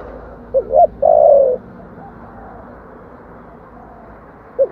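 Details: Spotted dove, 'giọng thổ' style song meant to lure wild doves. A single phrase of two short coos and a long low note stands over steady background hiss, with a faint coo beginning at the end.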